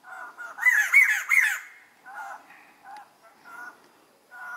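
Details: White-crested laughingthrush (Garrulax leucolophus): a loud second-long burst of raucous, cackling laughter, followed by softer, scattered hooting notes at mid pitch.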